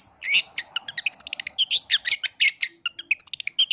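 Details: Long-tailed shrike lure song used to provoke other shrikes into singing: a fast, busy run of harsh chattering notes and squeaky mimicked phrases, densely packed with hardly a pause.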